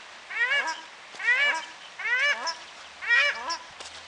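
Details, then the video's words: Paradise shelduck calling in New Plymouth, New Zealand: four loud nasal honks, each with stacked harmonics bending upward, repeated roughly every 0.9 seconds in a steady sequence. "Paradise Ducks New Plymouth"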